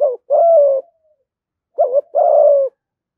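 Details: Spotted dove giving fight-provoking, luring coos: a clipped coo at the start, then after a pause a short wobbling note and a drawn-out, even, low hollow coo; no other sounds.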